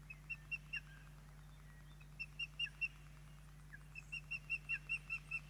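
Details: Ospreys at a nest in Poole Harbour on 8 June 2024 while chicks are fed dinner; a series of short, sharp, high chirping whistles, repeated in quick bursts with brief pauses between runs.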